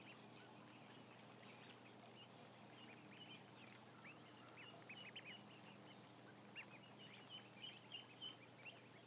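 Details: Roughly a thousand ducklings on camera produce a steady stream of high, clipped peeps at about three per second, with a few louder calls near the end over a constant hum.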